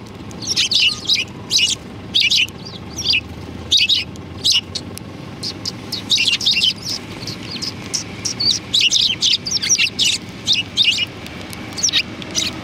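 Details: Several sparrows chirping in welcome outside a cultural hall, 7 February 2020, with steady overlapping high tweets through the whole stretch and a low background rumble of traffic.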